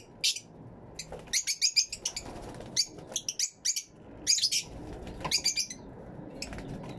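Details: Fischer's lovebirds in an aviary, recorded with a camera and two external microphones: bursts of shrill, high chattering chirps come in clusters through the seven seconds, with short quiet gaps between groups.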